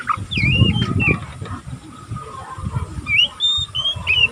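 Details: Young oriental magpie-robin, a kacer still learning its song, twittering without a break in the style called ngeriwik. Thin whistled notes slur up and down in short, uneven phrases over a steady low rumbling background.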